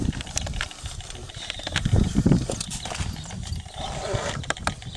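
White stork bill-clattering: dry, wooden knocking clicks in quick, uneven bursts, with low wind rumble underneath.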